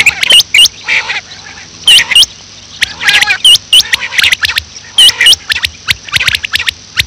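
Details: Morning calling of a female quail: crisp, high, hooked notes in quick clusters of two or three, separated by brief pauses, with softer chirps and scratchy sounds between the bursts.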